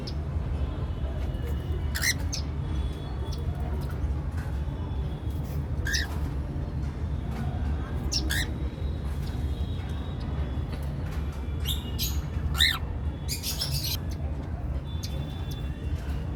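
Cockatiels give harsh, scratchy squawks and short chirps at irregular intervals over a steady low hum.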